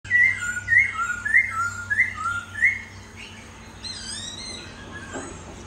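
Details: A hwamei (họa mi) laughingthrush, a cage bird said to sing all day, sings five loud, slurred whistled phrases, each dropping in pitch, about one every half second, then softer, higher chattering notes over a low hum.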